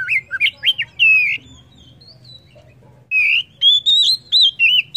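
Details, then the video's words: White-rumped shama singing bright looping whistles and slurred notes, a short quiet gap, then a run of clear high whistles repeated in quick succession. "Kacer apapun,PASTI NYAUT DAN GACOR dengar Kacer ini"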